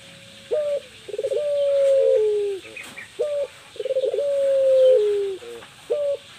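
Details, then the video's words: A female puter pelung dove gives its luring call for males: short throaty introductory notes, then a sustained coo drooping in pitch, repeated twice with a lone short note after. "Burung puter pelung betina, cocok untuk memancing puter jantan"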